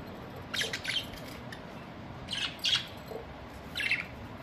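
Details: Pet budgerigars on a very hot summer day, about 50 degrees, giving short high chirps in three brief clusters about 1.5 seconds apart over a steady background hiss.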